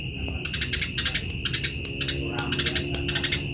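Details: Chirping Eurasian tree sparrow, recorded as training material for other birds: short clusters of three or four rapid, shrill chips repeated roughly every half second over a steady thin tone and low background rumble.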